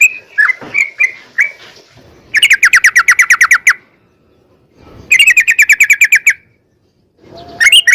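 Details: Yellow-vented bulbul singing in long 'ropel panjang' bursts to make other bulbuls answer. A few gurgled notes lead into fast, even rattling trills about a second long, separated by short silences.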